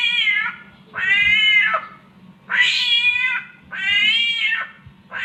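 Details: Samyong bird mimicking a cat in mating season, giving drawn-out, rich caterwaul-like wails about once every second and a half, with quiet gaps between them and a low steady hum beneath.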